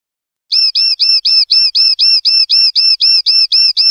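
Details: Common linnet song of the clean type (pardillo limpio), 2021/2022 season: after a brief pause, a fast, very regular series of clear, whistled, downward-curving notes, about four a second.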